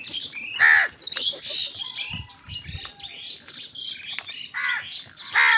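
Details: Harsh, loud crow caws open and close a busy stretch of squawks and chirps as birds fight over food, with low thumps in between.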